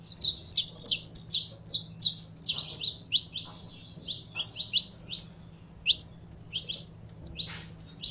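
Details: Captive saffron finch warming up: a busy opening run of bright high chips and slurs, then fewer, spaced single notes toward the end, with a low background hum.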